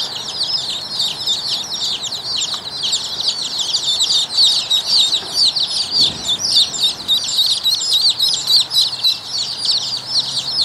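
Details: A group of Rouen ducklings peeping nonstop: shrill, wavering high notes overlap into a continuous chatter, with faint low rumbling underneath.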